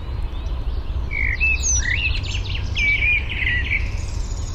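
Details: Eurasian penduline tit gathering nest material for a nest that is still only a ring high in a birch at Fysingen, Uppland, Sweden, recorded with a parabolic microphone; several thin whistled calls, some sliding downward, over steady low rumbling background noise.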